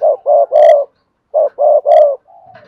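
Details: Spotted dove with a hạp bổi voice in the Cườm Sa song style: two matching phrases, each of two short coos and a longer, fuller hooting note, followed by a soft sustained tone.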